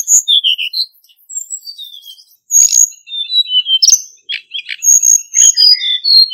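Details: Forest-voice song of a male Hill Blue Flycatcher used as a trapping lure: loud high whistled phrases, falling slurs and quick rattling notes in three bursts separated by brief quieter gaps.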